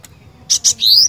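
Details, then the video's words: Cinereous tit in full, lively song: after a quiet start, two sharp high chips and then a bright whistle that sweeps upward, followed by a final chip at the end. "Kicauan Glatik Batu Gacor"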